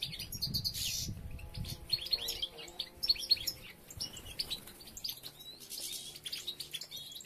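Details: European goldfinches while females gather material and several nests are under construction; lively, overlapping high twitters and buzzy chirps, with low thumping noises at the start.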